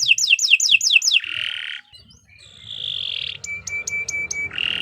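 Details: Canary tutor recording: short falling whistles, a nasal buzzy note and a long sustained whistle, then quick sharp clicks over a low tone; quieter passages with faint background hum.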